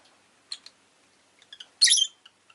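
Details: Rosy-faced lovebird: soft ticking chirps, then a loud harsh screech lasting a quarter second, followed by two quiet clicks.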